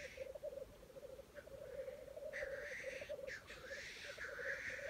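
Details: Lekking black grouse in Wales in early 2020: a steady, throbbing bubbling coo carries the whole recording while harsh breathy hisses burst out, one drawn-out hiss near the end.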